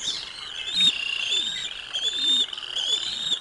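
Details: At the Decorah North bald eagle nest on 05 06 2022, with lunch delivered to eaglets: a steady stream of shrill, piping chirps, some wavering tones, with soft low thumps in the background.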